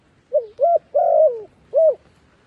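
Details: Decoy dove cooing to draw wild doves down toward a trap, a clear sequence of short rising coos, a long falling drawn-out coo and a final rounded note, in quiet surroundings.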